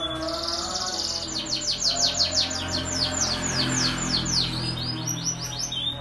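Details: Caged pet canary singing energetically, used as a lure to prompt other canaries to sing quickly: fast series of high, downward-sweeping notes, about three per second, rolling into buzzy trills, over a low steady hum.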